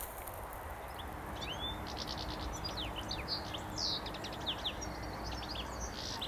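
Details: A European goldfinch about 20 metres away in sunny, scrubby land around Limsjön, Leksand, Sweden, in spring, gives bright, tinkling "steglits" calls, short liquid twitters scattered irregularly over a steady low outdoor hum.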